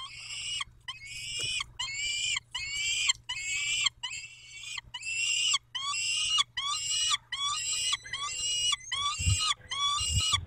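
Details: At feeding time in Dobra, 11:48 on 19 May 2021, peregrine falcons give a steady series of rasping, nasal wails, roughly one per second, each slightly rising, over a low electrical hum.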